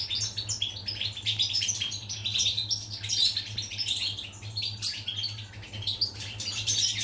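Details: Recorded 14 July 2019, a European goldfinch delivers a lively, rambling song of rapid twittering phrases, bright chirps and brief buzzy trills, roughly one burst per second, over a faint steady hum.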